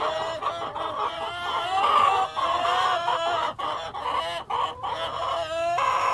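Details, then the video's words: Several chickens, cockerel and hens, keep up steady layered cackling with drawn, slightly rising notes and short sharp clucks breaking in at intervals over a busy flock background. "World of Sound: (Cockerel and Hens)"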